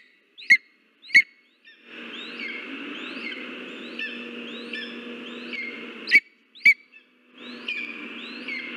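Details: Lesser spotted eagle (Clanga pomarina) in Latvia on 13 August 2023, as Uldis delivers mice to the nest, gives sharp, high yelping notes in pairs over steady rushing noise and a faint series of thin, arched whistles about every second.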